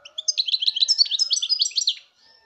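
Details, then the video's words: European goldfinch song: a rapid, tinkling run of bright twittering notes, liquid trills and short buzzy elements lasting nearly two seconds, high-pitched and clean with no other sounds. "chant chardonneret"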